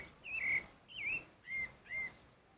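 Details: Wild pale-breasted thrush singing in nature, four clear whistled notes that rise then drop, spaced about half a second apart, with faint high insect-like ticking behind.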